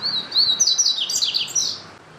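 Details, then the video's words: Double-collared seedeater giving a single fast, high-pitched song phrase: whistled slurs run into a dense series of bright, bubbling chirps, fading out after about two seconds. "CANTO DO PAPA CAPIM"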